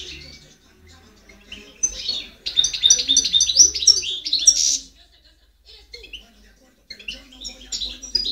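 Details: European goldfinch song from 2010: after a quiet start, a fast rattling burst of liquid twittered notes and a buzzy flourish lasting about three seconds, then a pause and a few softer scattered twitters.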